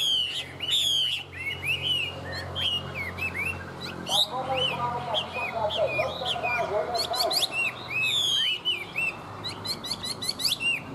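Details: Singing tame Chinese hwamei delivers a rich, varied string of whistled loops and upslurs mixed with rapid high twittering phrases, with fainter lower warbling in the background through the middle.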